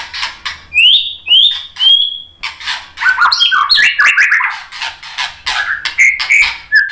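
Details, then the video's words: White-rumped shama song meant to provoke fighting males: two rising whistled slurs and a level whistle, followed by a busy run of varied chattering and whistled notes with harsh broadband clicks. "SUARA MURAI BATU bikin EMOSI FIGTHER jadi NYAUT GACOR BONGKAR MATERI ISIAN ¦ PANCINGAN MURAI"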